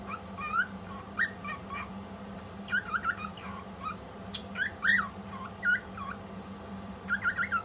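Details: A female pet cockatiel sings in bursts of short, bright whistles with quick rising and falling slurs.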